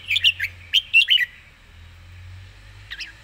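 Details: Red-whiskered bulbul delivering rapid zone-style song: a quick run of bright, bouncy whistled notes in two short bursts, a pause with low hum, then a brief closing note pair.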